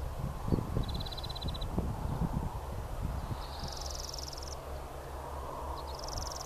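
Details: European Greenfinch in full song on a golf course in April 2015: three quick, high, rattling trills, each about a second long, against steady low wind rumble and occasional thumps.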